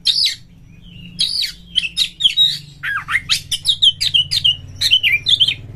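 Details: Caged oriental magpie-robin singing vigorously, used as a lure to make other kacer birds sing and fight; fast series of looping whistles and sharp chirps over a constant low hum in the background.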